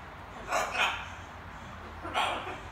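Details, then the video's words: In the evening a young pet macaw practises words indoors. Two quick harsh, chattering syllables are followed by a pause, then one more short raspy word-like burst, over a faint room hum. "Wieczorne gaworzenie małej papużki"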